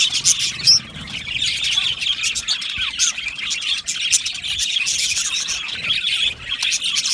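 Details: Aviary budgies singing and chirping, a lively chorus of high twitters and short falling whistles, one sharp loud squeak early on, continuing without a break.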